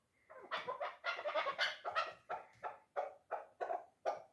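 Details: A three-year-old chukar partridge of the dulan hunting type, clucking in dense, rasping bursts that run together early on, then separate into regular notes about every third of a second.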